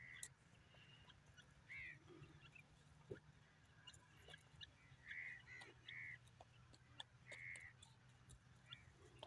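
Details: Desi grey francolin (teetar), a kept bird, calling: short buzzy, slightly rising notes, single and in quick runs of three, spaced irregularly over several seconds, over a steady low hum and scattered clicks.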